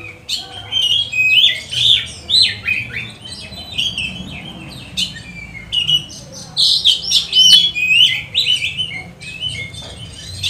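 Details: Oriental magpie-robin song meant to provoke and train other magpie-robins: a continuous chatter of quick varied chirps and squeaky notes at about two per second, fainter than the rest, with a brief spoken remark after.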